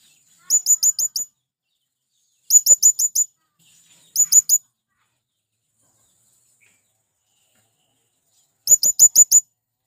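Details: A male blue-crowned hanging parrot calls to pull in wild birds, giving quick strings of four to five shrill, high-pitched notes, the strings spaced by one to four seconds of quiet.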